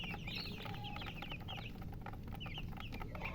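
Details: Chicks peeping in a flock, giving quick high whistled notes that drop in pitch, overlapping one another, with a constant low rumbling hum beneath.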